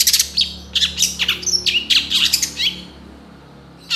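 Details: Cendet, the long-tailed shrike, singing a lively fill-in-rich song with rapid bursts for training songbirds; quick jumble of harsh and slurred notes, then a pause before one more burst.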